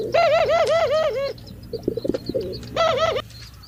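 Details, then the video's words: A male pigeon's mating call: a throaty, rolling coo that wavers up and down, rising in two bursts with a short pause of softer clicks and rustles between. "Pigeon sounds when mating اصوات ذكور الحمام عند التزاوج"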